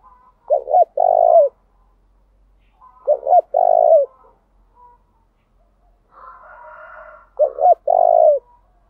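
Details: Spotted dove giving a lure call meant to provoke rival doves into singing and draw them back: three low, mellow cooing phrases, each a pair of short notes then a longer note, with quiet gaps between and a faint hum near the end.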